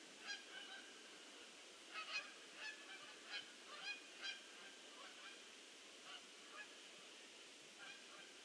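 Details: Geese landing in a big flock, 22 October 2015; separate sharp honks repeated irregularly about twice a second early on, thinning later, over a soft background chorus.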